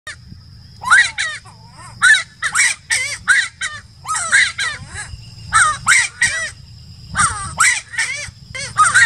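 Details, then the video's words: Giant wood-rail singing at Laguna del Diario, Uruguay, in December 2018: loud, harsh, raucous shrieking notes in bursts of two to four, with clustered outbursts separated by short pauses, over a steady high insect-like tone and low background rumble. "Aramides ypecaha singing"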